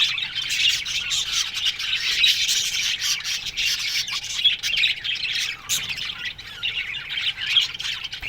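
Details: Budgerigar flock chirping in an aviary in the morning: dense, continuous high warbling chatter with overlapping squawks and chirps, no pauses throughout.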